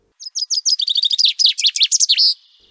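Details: Common chaffinch at Séné nature reserve, a year-round resident there, sings one bright two-second strophe: a few spaced high notes, then a quickening cascade tumbling downward like falling down stairs, ending in a sharp marked flourish; it repeats this strophe hundreds of times hourly.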